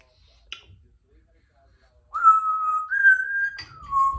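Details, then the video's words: Symon, a chatty 3-year-old female Congo African grey parrot kept as a pet at home, gives a long, clear whistle, held steady then stepping up and back down, after a click and quiet room sounds. "African Grey Parrot is a chatty girl today"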